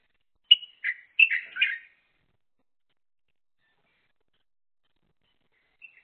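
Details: Pair of crested mynas talking to each other as one feeds and its mate stands guard: a brief cluster of four whistled, chattering notes, long silence, then one soft final note near the end.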